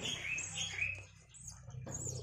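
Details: Javan myna chicks aged five days, fed by both parents in turn inside their enclosure, give a short run of raspy, wavering squawks that fade, then restart briefly against a low background hum.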